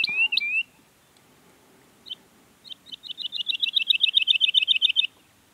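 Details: Woodlark singing in Sierra Nevada, Granada, Spain: a couple of clear, swooping whistles, then soft, liquid notes that speed up and grow louder into a rapid, fluty trill.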